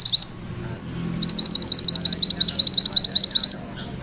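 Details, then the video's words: Rolling song of a mantenan kuning, a tutor sound for magpie-robins. A short opening note and a pause lead into a steady run of fast, high, rippling trilled notes lasting over two seconds. "Suara MANTENAN KUNING ngerol"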